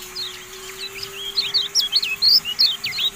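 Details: High twittering from a Javan white-eye (kecial kuning), used as tutor audio for songbirds: rapid swooping, zigzag notes that grow louder and more regular halfway through, about three per second, over a steady faint hum.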